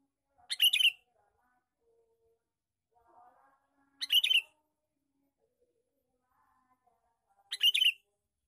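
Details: Lure call of a male sooty-headed bulbul. Three loud, rasping chatter bursts come roughly every three and a half seconds, with quiet whistled notes from other birds in the gaps.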